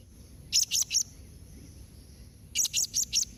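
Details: Two rapid runs of three and four strident, very high calls from a blue-crowned hanging parrot, in the nembak mbeset calling style used to prompt answers from other hanging parrots. The runs are separated by a pause of about a second and a half.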